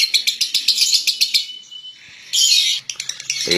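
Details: Central Javanese competition lovebird, known from local and national contests, uttering bursts of sharp high chattering chirps, then a brief lull with a thin whistle, then another loud harsh burst and more scattered chirps.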